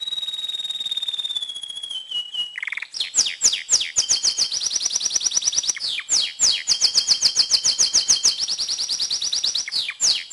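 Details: An excited, tamed male canary sings to ready females for breeding. A long descending whistle gives way to rapid rolling trills and fast repeated high chirps, changing tempo several times.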